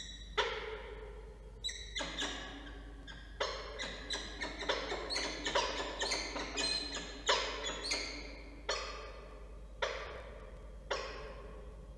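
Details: Rhythmic, knocking percussion like wood blocks, struck in irregular bursts with sharp attacks and short decays, and no animal voice heard.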